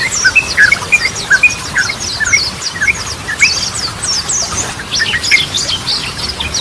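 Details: Yellow-vented bulbul chattering song in the Goklikan and Ropelan manner, meant to stimulate silent birds: busy sequences of clipped high notes and short slurred whistles, tumbling together in quick bursts.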